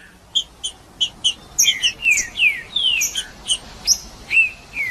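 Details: Green-winged saltator song used to warm up and stimulate other birds: clear whistled notes, paired short high chips, then a run of loud descending slurred whistles, each phrase about half a second apart.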